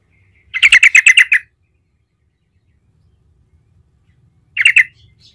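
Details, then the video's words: Trucukan (Yellow-vented Bulbul) giving gacor ngerol song to prompt other trucukan to sing; a loud, rhythmic rolling phrase of about eight quick bubbling notes, then a shorter burst after a pause. "Trucukan jenis apapun 100% NYAUT seketika dengar panggilan Trucukan gacor ngerol ini"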